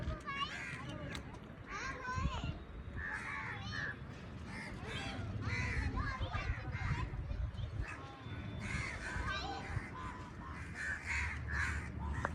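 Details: Birds giving short, rough, scattered calls that come close together at times, over steady low background noise, with some faint voices.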